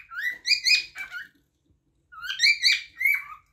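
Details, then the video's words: Whistled cockatiel song in two bursts separated by a silent pause, each burst a string of rising, slurred notes with rich harmonics and a few falling glides at the end. "غناء طائر الكوكتيل"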